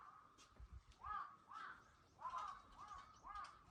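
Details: Early-morning crows give about five harsh caws spaced roughly half a second to a second apart, each a rasping arched note, over a steady faint background hum.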